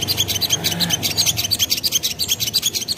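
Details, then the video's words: Sogon, a spiderhunter, giving a lure song meant to provoke answers from others: a continuous rattle of high, sharp chips at a rapid, even pace, about three per second. "Burung Sogon Manapun Bakalan Langsung Nyaut Dengar Suara Sogon ini"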